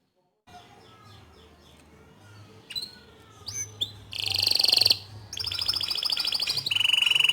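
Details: Bottle-green canary, loud 'gacor' tutor song for young and untrained canaries; faint soft notes over low hum, then sharp upslurred whistles and dense high buzzy trills in the second half.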